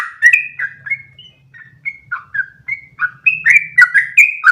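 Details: Yellow-vented bulbul giving a long ropel song meant to teach young bulbuls; fast, uneven run of bright whistled notes, some rising, some dropping, over a faint low hum.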